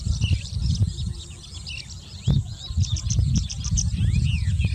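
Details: Tawny lark, also called Sykes's lark, singing: a busy stream of high twittering chirps, slurred whistles and short trills delivered without pause, over a strong low rumble of wind or handling noise.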